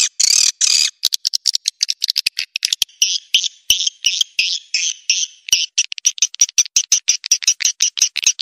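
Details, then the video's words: Swiftlet roosting lure: two long raspy buzzes open a dense train of clicks and twangy chirps, which repeat rapidly in an even rhythm to the end. "SUARA BURUNG WALET PANGGIL INAP"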